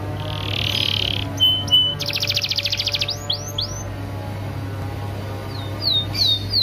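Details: Canary training song meant to prompt other canaries into singing: a buzzy rasping note, short pure tones, a fast pulsed rattle, then curved upswept whistles and scattered sharp notes over a steady low electrical hum.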